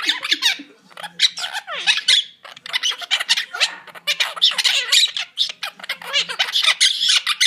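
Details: Two caged monk parakeets, a pair, chattering indoors: dense runs of harsh, scratchy squawks and squeaky chirps, with rapid rising and falling notes packed close together and brief pauses between bursts.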